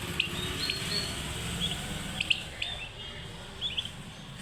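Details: Turkey chicks peeping: short, high, thin chirps, some rising or falling, scattered irregularly and sometimes in quick pairs, over a steady low hum with faint voices.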